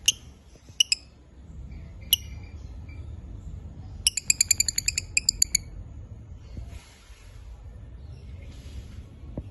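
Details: African lovebirds of various colours, male and female, chirping: sharp high harmonic chirps, a rapid stuttering burst of about ten chirps near the middle, scattered single notes, and a soft low rumble beneath.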